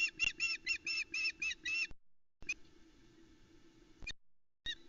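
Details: Loch Arkaig osprey nest, Scotland, 17 July 2020: the female calls as the male delivers a trout to the chicks; a quick run of harsh whistled yelps, then a pause with background rustle and low noise before another note.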